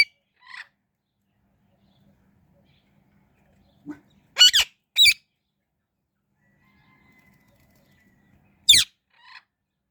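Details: Harsh, piercing chirps from an Indian ringneck parrot, delivered as sharp isolated bursts with a couple of softer, shorter notes between them and long silent gaps.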